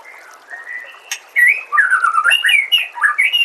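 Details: White-rumped shama song used as a master recording for training cage birds: a soft, level whistle, then loud, rich, varied phrases of sliding, rising and falling whistled notes, some sharp and high, in a fast, irregular run.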